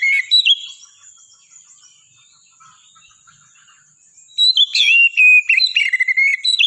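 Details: Oriental magpie-robin singing: a short burst of bright whistled notes, a long quiet pause with a steady high thin tone, then a lively run of varied warbled and whistled phrases with quick slurs.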